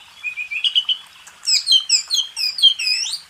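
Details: Kacer (Oriental magpie-robin) training song for contest birds: a low wavering whistle that breaks into a rapid tumbling run of high, bright chirps and slurred notes.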